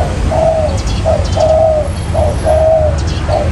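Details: Spotted dove calling as bait for bird trapping: alternating short and long smooth coos, about one phrase per second, with light ticking noises and low droning hum.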